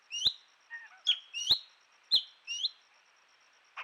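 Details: Common green magpie calling at Rocky Pool in Huai Khayeng Nature Park, caught by a camera trap in early March 2025: sharp, high, upslurred whistled notes, about five in under three seconds, with clicks between them.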